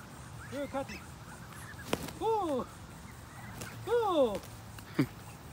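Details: Wild ducks fed in the United States: a few loud harsh arching quacks in two bursts, with scattered clicks and low background chatter.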